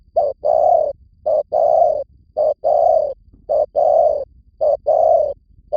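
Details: Spotted dove in Vietnam giving a lure call: paired coos, each a short note then a longer, slightly falling one, repeated steadily about once a second over a quiet background.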